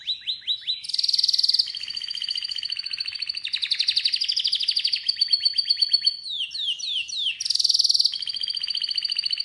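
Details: Canary singing continuously: short sweeps, buzzy high bursts, rolling trills and cascades of falling notes repeated at a fast pace.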